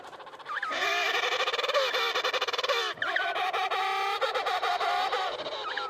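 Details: A dense chorus at the Cape Crozier emperor penguin colony in Antarctica: many overlapping brassy, trumpeting calls with rapid warbling pulses, layered into a continuous din, with wind noise underneath.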